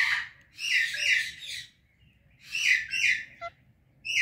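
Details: Morning chirping from a pet Indian ringneck and Alexandrine parrot pair: loud harsh squawky bursts in two main groups, each about a second long, with a brief clear whistle between and silence around them.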